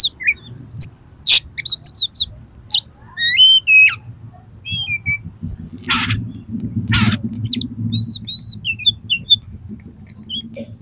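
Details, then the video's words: Oriental magpie-robin in a fighting, highly aroused state, singing to provoke other birds: varied clear whistled notes, squeaky slurs and harsh broadband bursts, pausing and resuming over ten seconds, with a low rumbling background. "KACER TARUNG EMOSI TINGGI !!! PASTI LANGSUNG BUKA EKOR KACER MANAPAUN MENDENGAR INI"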